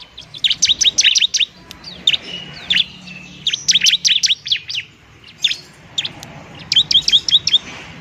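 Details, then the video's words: Fighting song of a bar-winged prinia, used to lure birds and get lazy ones singing: fast rattling bursts of thin high chirps, each lasting about a second, with short breaks between them. "ciblek semi gacor, ciblek TARUNG mantap buat pikat dan PANCINGAN ciblek semi malas bunyi"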